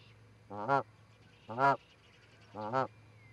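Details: Canada geese, a pair visiting an osprey nest at Charlo, Montana, on 7 April 2018, live camera sound: three loud, rich nasal honks spaced about one second apart.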